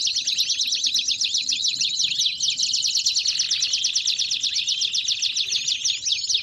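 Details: Belgian canary song: bright, rapid trills and chirps run continuously, with a brief softer break mid-song before the fast rolling phrases resume.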